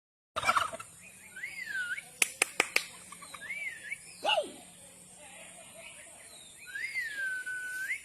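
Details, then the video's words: A turkey gives wavering, warbled calls that rise and fall, repeated every couple of seconds, with a few sharp clicks and a lower squawk in between. "Turkey bird real sound"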